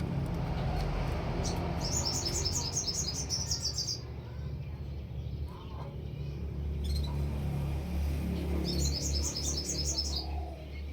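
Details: Canary singing two bursts of rapid, evenly spaced high notes, each run lasting about two seconds and separated by a pause, with a constant low hum underneath.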